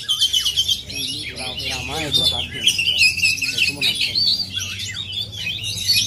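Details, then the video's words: An oriental magpie-robin from Aceh delivers a continuous high medley of clear whistles and buzzy trills; voices of people speaking are audible in the low background. "Aksi kacer asli aceh"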